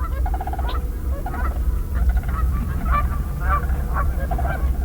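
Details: Canada Geese flying overhead at Sax-Zim Bog in late April, early spring with snow still on the ground, honk repeatedly in a chorus of nasal two-part calls overlapping every half second, over a steady low rumble.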